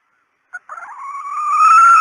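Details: Red junglefowl hen, decoy call: one short click, then a single drawn nasal note that climbs steadily in pitch and loudness over about one and a half seconds.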